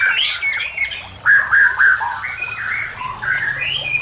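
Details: White-rumped shama song used to train or lure other shamas, with nature sounds and trickling water: varied whistled phrases, slurred notes and short squawky bursts.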